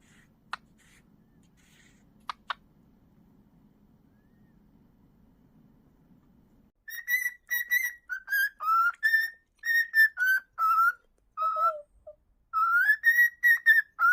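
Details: Pet cockatiel whistling: after a few faint clicks and a quiet stretch, a run of clear, slightly wavering whistled notes begins, held briefly and repeated in quick succession, some rising or dipping, one lower note near the end.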